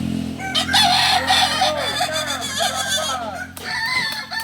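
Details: Kukuak Balenggek chicken at a practice contest in Solok, West Sumatra: a raspy crow of rapid arched syllables, roughly four per second, rising and falling, with a steady low hum underneath.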